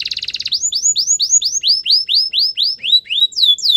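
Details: Canary singing a training song: a brief buzzy opening, then a long series of rising-falling whistled slurs about four per second, dropping slightly in pitch toward the end.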